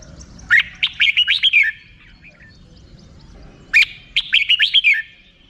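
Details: A red-whiskered bulbul sings two matching rik-style phrases about three seconds apart, each a string of loud, bubbling whistled notes that drop at the end.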